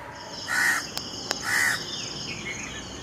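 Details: A crow, apparently in a mango tree, gives two harsh, drawn-out caws about a second apart. Two sharp clicks fall between them, over a steady high insect-like hum.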